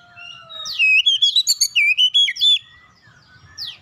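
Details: Magpie-robin singing as a lure to make other magpie-robins answer. Nearly two seconds of rapid, ringing whistles, each note a brief rising or warbled slur, in an unbroken run. Softer thin calls come before and after.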